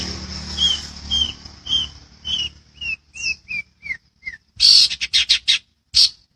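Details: Long-tailed shrike master recording for training songbirds: a descending series of about nine clear, short whistled slurs spaced roughly half a second apart, then a loud burst of harsh, rasping chatter.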